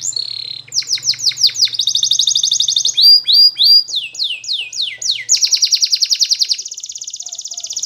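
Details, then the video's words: Spanish Timbrado canary training song: rapid falling notes, a long metallic trill, several falling whistled slurs and another fast trill, ending in a steady high rolling note; a faint low hum at the start. "The Best Canary Sound !! Training Canaries To Diligent In Singing"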